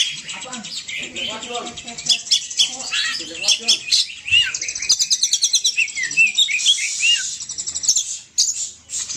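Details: Poci bird lure calls: soft low murmurs at first, then quick high chirps, buzzy trills and several short upslurred whistles in a rapid sequence.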